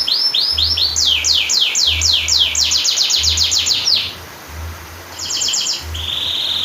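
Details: Long rolling canary song used as a training master to trigger silent canaries: rapid series of repeated high downslurred notes in several trills, changing speed, then a brief fast trill and a short steady whistle, with a faint low hum underneath.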